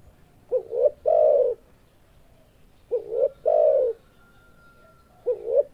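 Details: Spotted dove cooing in repeated phrases: a short double note followed by a longer, rich rolling coo, the pattern sounding about every two and a half seconds against a quiet background.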